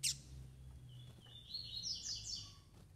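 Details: Female double-collared seedeater calling to get males excited: a sharp click, then thin high whistles and short slurred notes in the second half, heard over a steady low hum.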